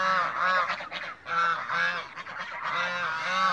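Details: Mature and young African geese in a backyard flock, calling together: loud, harsh, nasal honks with rich harmonics, overlapping in bursts roughly every second, several birds at once.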